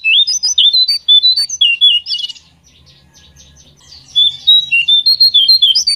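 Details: Song of a pied triller meant to coax birds into singing: lively, quickly repeated whistled notes that swing up and down, a pause of about two seconds, then another burst of similar whistles.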